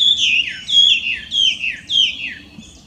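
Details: Clear, powerful whistling from a wild Chinese hwamei in Japan, where it is an invasive alien: four descending slurred phrases at even intervals, the last one fading.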